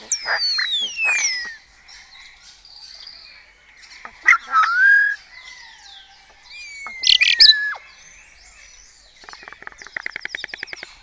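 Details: Starlings of a colony in Cabañeros National Park, Spain, competing at first light with mimicked songs of kites, orioles, quails and stork bill-clattering: long slurred descending whistles, sharp clicks, warbled phrases and a fast dry rattling series near the end.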